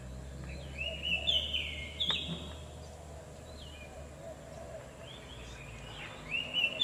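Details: Wild-bird lure of the Oriental magpie-robin. Bright whistled phrases with quick trills and slurred notes come in bursts separated by quieter gaps, with a low continuous hum underneath.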